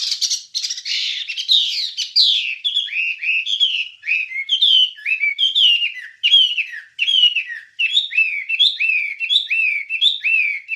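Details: Wambie song on a recording for songbird training: a dense, noisy warble at first, settling into a long series of repeated short rising whistled notes in a lively rhythm.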